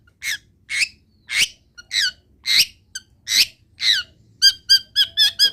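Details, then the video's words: Long-tailed shrike mimicking wild birds: about eight drawn-out, downslurred whistled notes, spaced about half a second apart. These are followed by a fast series of clear, ringing notes near the end. "CENDET GACOR ISIAN MELIMPAH - MASTERAN CENDET GACOR FULL ISIAN BURUNG LIAR"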